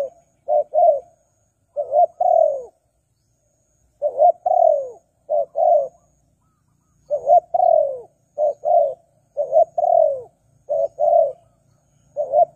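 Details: Spotted dove, a lure recording for attracting wild doves: groups of two or three short, mellow coos, the last often longer and falling, repeated in irregular bursts with quiet gaps between.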